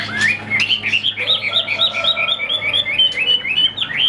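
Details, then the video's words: Chinese hwamei, a caged songbird, pouring out a quick sequence of bright, looping whistled notes, about five a second, with a lower whistle running beneath part of the phrase. "Họat Họa Mi"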